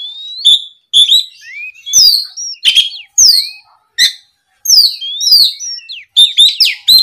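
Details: Oriental magpie-robin in loud rival-provoked song, delivering short, sharp phrases of rising and falling whistles with crisp high ticks, separated by brief silences, building to a dense burst at the end.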